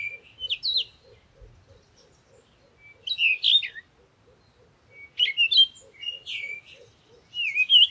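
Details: Parakeet uttering repeated shrill, chattering chirp bursts about every two seconds over a faint, steady, rapid ticking in the background, with a soft low thump early on.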